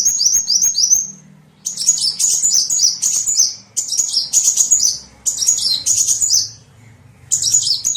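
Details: Lure for small birds: bursts of shrill, rapid chirps and twitters, each lasting about a second, separated by short quiet gaps.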